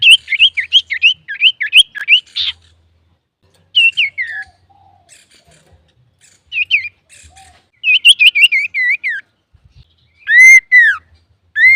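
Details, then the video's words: Lively male common iora, recorded as a lure to provoke other birds: rapid runs of short whistled chirps repeated about three per second, pauses between phrases, ending with louder arched whistles. "SUARA BURUNG CIPOH SIRTU GACOR COCOK UNTUK PANCINGAN"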